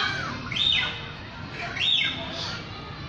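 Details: Song of a lyrebird: two bright whistled phrases, each sweeping up then dropping steeply, about a second apart, with a fainter third note, against a steady low background hum.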